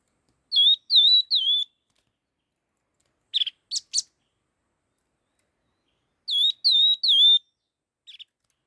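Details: Laughingthrush singing fast. Three loud dipping whistles are followed by harsh buzzy chatter notes, then another trio of whistles and a brief faint chirp.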